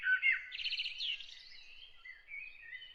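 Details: A bird singing early in the morning gives sharp chirps, then a rapid, buzzy trill of repeated notes, followed by thinner, drawn-out whistles.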